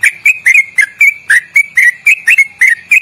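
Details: Sooty-headed bulbul in loud, long trilling song with quick melodic twists: a rapid series of bright whistled notes, about two per second, each sliding and wavering, repeating steadily with no other sounds.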